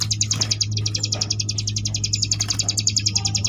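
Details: Sunda bush warbler, known locally as ciblek gunung, in 'ngebrem' song used to tutor competition birds: a continuous rapid buzzing trill of high, evenly spaced notes, about three or four per second, with low background hum.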